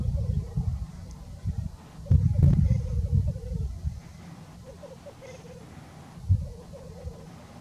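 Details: Black grouse lekking in north Wales on 17 October 2018 give a soft, bubbling, dove-like rookooing in short repeated runs, half buried under heavy low wind rumble.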